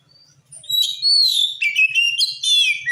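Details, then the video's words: Oriental magpie-robin song meant to make other magpie-robins answer: loud, varied whistled phrases with rich sliding notes and harsh chattering elements, running continuously after a quiet start. "Suara Kacer Gacor ini Ampuh Bikin Kacer Bahan Langsung Nyaut"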